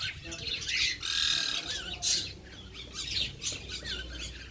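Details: Birds chirping while being fed, a busy mix of grating squawks and short high chips repeated irregularly, several callers overlapping, over a constant low background rumble.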